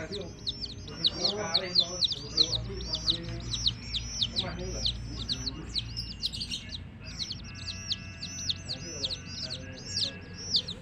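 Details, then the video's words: Many domestic chicks keep up continuous high, falling peeps that overlap in a dense chorus, over low background voices and a steady rumble. "LOVELY Hen Baby Chicks, Witty MURGI Baby "Chicks Chirping" Sound"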